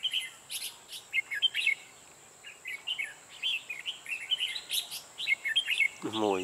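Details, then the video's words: Red-whiskered bulbul in the 'ché' singing style, recorded while trapping wild bulbuls: a dense string of quick chirpy, warbled phrases, then a low, harsh, descending sound at the end, all over a steady high-pitched whine. "Bẫy chào màoché như con hâm"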